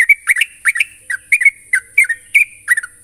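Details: Sooty-headed bulbul challenging a rival with fast, evenly spaced pairs of bubbly whistled notes, about three pairs a second, each dipping then rising, over a steady high hiss.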